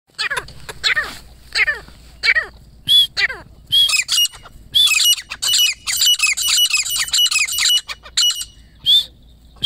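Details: A grey francolin family, including chicks. Loud, harsh, squawky notes ring out in irregular bursts, then tighten into a rapid run of ringing calls with sharp whistled upslurs. A faint low hum runs underneath.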